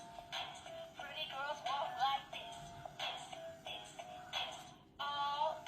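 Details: Music with synthetic-sounding sung phrases in short bursts and a brief pause near the end, heard indoors in a small room, with no animal call standing out.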